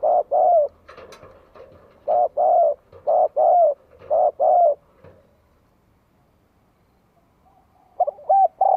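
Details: Spotted dove song meant to rile rival birds: a series of deep paired coos, the second note drawn out and sagging, then a pause of several seconds before the coos resume.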